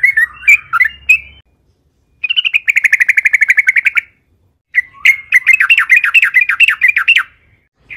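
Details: Yellow-vented bulbul in long, vigorous song for luring other bulbuls: a few sharp chirps, a pause, a fast even buzzy rattle for two seconds, another gap, then a rapid series of sweeping bubbly notes.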